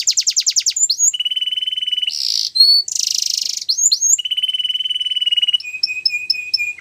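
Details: Russian canary singing flute style, with fast pulsed trills, long even low trills, bright buzzy bursts and short rising whistled notes that switch abruptly from one phrase to the next.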